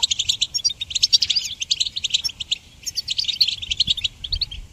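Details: Goldfinch singing for songbird training: quick, bright twittering phrases with a few slurred notes, a short pause near two and a half seconds, then more rapid jingling chatter.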